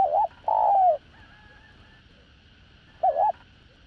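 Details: A spotted dove with a đồng rặc voice gives a decoy song for luring wild doves: one wavering note and a long sliding coo, a pause, then another wavering note as the next phrase begins, against a faint constant hum.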